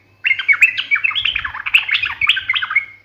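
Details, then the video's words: Energetic sooty-headed bulbul delivering a sharp, fighting 'ngalas' style song: a continuous three-second stream of quick, jumbled chirps and slurred whistles with a faint low hum beneath. "KICAU SUARA trucukan gacor NGALAS TAJAM TARUNG ini MENJADIKAN burung trucuk gacor NYAUT SEKETIKA"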